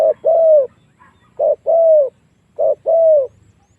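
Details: Lure recording of a spotted dove meant to provoke wild doves into fighting: three clear pairs of coos, each a brief note then a drawn-out, gently falling tone.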